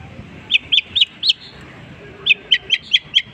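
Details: Long-tailed shrike in mimicry: four evenly spaced, short, bright chirps, a brief pause, then six more identical chirps at a steady rhythm. A faint low background murmur is present.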